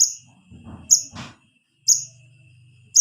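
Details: Young wiceh calling to its parents, a recording used to lure the adults: loud, piercing high chips about once a second over a low hum and a brief rustling thump.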